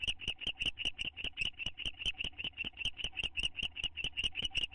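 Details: Bonding owl pair in a nest box, May 2011: repeated high, scratchy chitters keep up a steady pace of roughly two and a half per second, loud and close.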